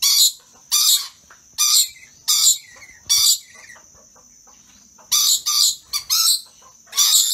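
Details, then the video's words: Pair of excited rainbow lorikeets doing playful dance moves. They give harsh, screechy squawks in short bursts, about nine in seven seconds, irregularly spaced with brief gaps, over a thin steady high whine in the background. "Excited Rainbow Lorikeet Dance"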